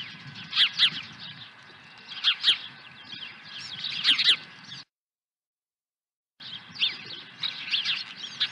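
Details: On 23 April 2020 an osprey swoops to its nest carrying a second fish; high, thin, downslurred chirps come in paired bursts every second or two, pausing briefly, over a low steady hum.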